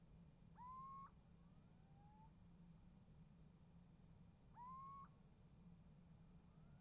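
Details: Little owl calling at a nest box on 28 January 2015 and getting an answer: two loud rising, mewing calls about four seconds apart, with fainter, lower answering calls between them over a steady low hum.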